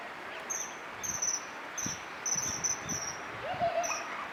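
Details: A male and female Common kingfisher perched on nearby twigs at the start of courtship give thin, shrill, very high whistled notes in short bursts every half second or so, with soft low thumps and a brief lower note behind.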